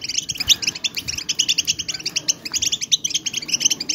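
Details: Many goldfinches calling at once in a stimulating chorus for silent birds; thin, high chirps tumble over each other in quick bursts, a busy twittering wall with brief dips in loudness.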